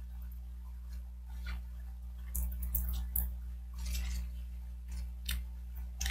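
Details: Irregular clicks and ticking, like small objects knocking, sound over a steady low hum, with no animal voice heard.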